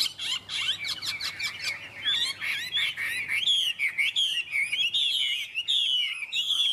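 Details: Captive Chinese hwamei in Vietnam, noted for its singing voice, giving fast varied warbles that settle into repeated sweeping, upslurred whistled phrases roughly once a second.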